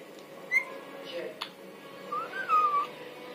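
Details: Talking parrot (mitthu) imitating human voices: a short sharp whistle, soft throaty speech-like sounds, then a clear drawn-out whistle that rises and slowly falls, in a small quiet room.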